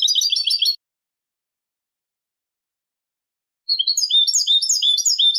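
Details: Goldfinch song, clean 'limpio' style, from 2023: a brief end of a twittering phrase, about three seconds of silence, then a fresh burst of fast, liquid, high chirping notes.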